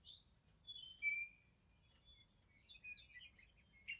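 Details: Morning meadowlark song: sweet, drawn-out whistled notes that slide downward, followed by a softer run of warbled, fluty notes, with quiet pauses between them.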